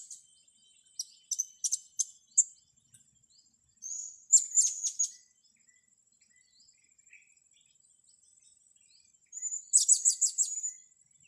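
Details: Blue-crowned hanging parrot heard while young birds are trained: scattered sharp, very high chirps, a rapid shrill twittering burst, a quiet gap, then a loud stretch of piercing high notes.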